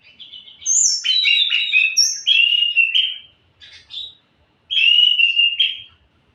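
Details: Lively orange-headed thrush song with mellow whistled phrases mixed with rasping notes in three bursts separated by short pauses.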